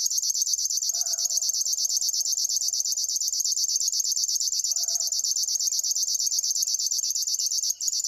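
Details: Steady, rhythmic buzzing song of a River warbler, rapid high pulses repeated like a grasshopper's rattle without pause, accompanied by two faint, lower calls from another source.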